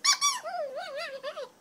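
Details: Grey parrot, a chatty pet female talking at home, gives two sharp squeaky notes, then a wavering, voice-like run of mimicked syllables lasting about a second, in a quiet room.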